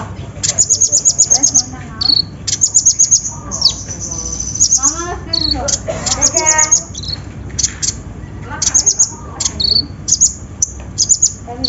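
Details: Olive-backed sunbird (konin) lure played to a bird slow to sing: repeated series of very high, fast trilled notes and sustained high tones, interspersed with lower sweeping warbles from other birds.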